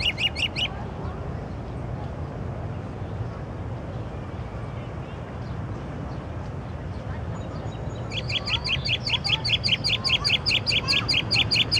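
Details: Night-singing songbird with a wide repertoire: a brief trill opens, followed by a long quiet stretch, then a fast, regular series of high, sharp repeated notes; constant low rumble throughout.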